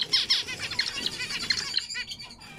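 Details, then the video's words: Bright, loud zebra finch notes, a quick run of high chirps and little buzzy sweeps tumbling together before fading out. "ZEBRA FINCH Les diamants mandarins"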